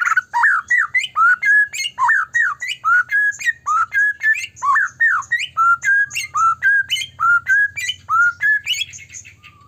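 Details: White-rumped shama, a caged bird in full song used as a lure to provoke other shamas into singing: rich whistled phrases repeated rapidly, slurred rising and falling notes around the middle register with sharp high ticks, continuous and loud throughout.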